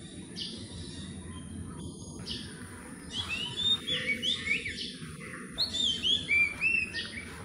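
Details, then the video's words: Philippine magpie-robins flying about a property while gathering nest material, perching briefly to sing before moving on, possibly claiming territory. Quick varied phrases of clear whistled notes, rising and falling, mostly in the second half, over a steady low rumble and faint high hiss. "Philippine Magpie-robins Gathering Nest Materials & Possibly Singing To Claim Territory"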